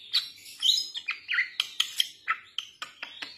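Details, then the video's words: A young Bali myna used as a lure bird gives a busy run of sharp chirps, whistles and harsh chatter notes, about a dozen in three seconds, mostly high-pitched. "Jalak Bali Muda"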